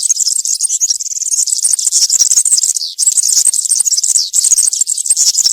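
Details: Unbroken, very high-pitched jangling song of a European serin in country (campero) style, for tutoring juveniles: fast, sizzling, rattling trills running nearly without pause, with one brief dip near the middle.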